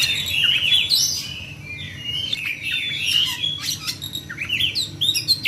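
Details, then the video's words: Oriental magpie-robin singing in fighting mode, a rapid rolling stream of varied whistles, rising and falling slurs and sharp ticks, with brief pauses between bursts; low background hum. "kacer tarung ngerol"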